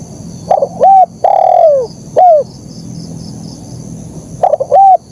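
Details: Clear, bright spotted dove song in the KUK 1 style: a stuttered start, a level coo, a long coo falling away and a short downslurred note. A pause follows, then the next phrase begins.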